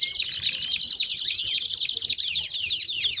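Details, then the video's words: Belgian canary song: fast, regular series of sweeping slurred notes, close to four per second, bright and continuous from start to end. "BELGIAN CANARY SINGING!!!"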